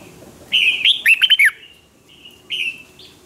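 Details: Red-whiskered bulbul in a singing contest to provoke other birds: a short, clear whistled phrase with quick slurred notes, a brief pause, then a single drawn-out whistle, over faint background noise.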